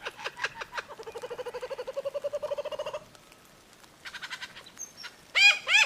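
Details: Lyrebird singing: a fast even run of rhythmic clucking notes for three seconds, a short pause, then a buzzy rattle, a thin whistle and a final burst of loud sweeping descending notes.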